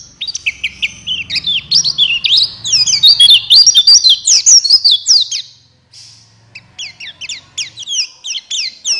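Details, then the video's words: Buxtoni white-eye singing to trigger song in reluctant birds. A rapid stream of high chips and slurs, about 160 notes a minute, pauses briefly, then resumes more softly. A low hum is audible beneath. "Pancingan Pleci Cepat buka paruh Gacor Ngalas Bukpar"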